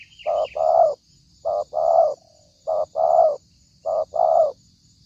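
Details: Spotted dove trapping-lure call: four repeated phrases of a short coo then a longer rough coo, roughly once a second, with a brief higher bird chirp at the start.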